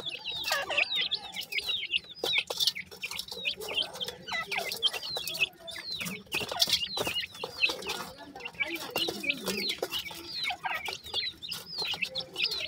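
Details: A long stretch of continuous chick chatter from captive dakhni teetar francolins: many overlapping high, falling peeps, with occasional clicks and shuffling.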